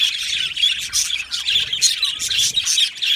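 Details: Budgerigars in an aviary squawking and chirping together, bright warbled notes and short squawks overlapping, with a brief downward slurred call.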